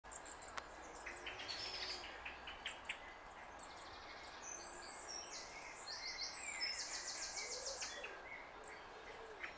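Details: Goldcrest (Regulus regulus), squeaks.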